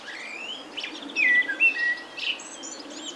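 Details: Common blackbird singing in warm spring at evening from the top of a pine; a soft rising whistle, then a run of loud, clear, flat whistled notes, ending in a brief high twitter, over faint low background hum.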